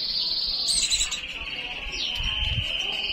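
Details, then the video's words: White-eye in breeding condition singing a long, unbroken, high buzzy trill that slides gently downward, with a brief upward flick partway through and faint low rumbling underneath. "pleci birahi"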